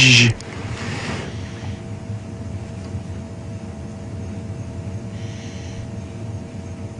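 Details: A steady low engine rumble and hum from a game drive in Djuma Game Reserve, with a brief loud knock at the start and no animal voices.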